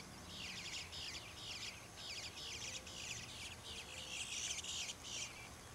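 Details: Baby bluebirds begging for food in a back yard in Troy, Ohio, giving continuous high, scratchy, buzzy chatter in quick repeated bursts, growing louder toward the end, over low background hum.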